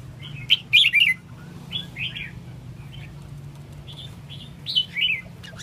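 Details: Red-whiskered bulbul singing short bright chirping phrases of warbled, slurred notes in bursts, over a steady low hum.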